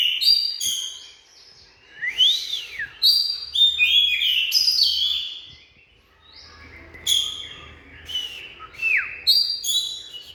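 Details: Oriental magpie-robin singing: varied whistled phrases with rising and falling slurred notes mixed with short sharp chips, delivered in bursts separated by brief pauses; faint low hum underneath.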